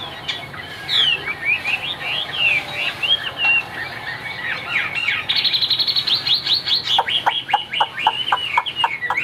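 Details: Caged Chinese hwamei singing high: varied slurred whistled phrases sweeping up and down, then a fast series of sharp repeated notes near the end, over a steady low background hum.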